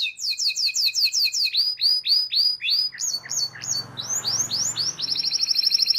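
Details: Canary song played to get young or mute canaries singing: a series of sharp downslurred notes, a lower-pitched run of swoops, higher rising notes, and finally a fast, even trill.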